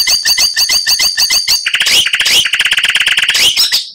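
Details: Oriental magpie-robin master training song for captive birds, full of rich fill phrases: a rapid series of evenly spaced harsh clicking notes, then a dense run of loud chattering and rising whistled sweeps.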